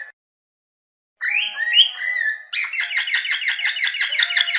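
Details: Cockatiel singing: after a second of silence, warbled whistled notes with rising and falling slurs, then a fast run of repeated harsh chirps, several per second, to the end.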